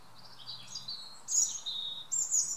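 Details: European robin singing in a garden at evening, thin sliding whistles followed by two brighter, higher trilled phrases in quick succession.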